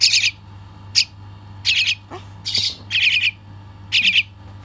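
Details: Baby bird calling while being fed: harsh, high, buzzy squawks in short bursts, about six over under five seconds, with quiet gaps and a low steady hum behind.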